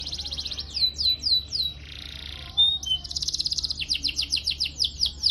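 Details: A Belgian canary sings a training song for young canaries: high, rapid phrases with a run of falling whistled notes, a buzzy passage, then a fast trilled roll of repeated chirps.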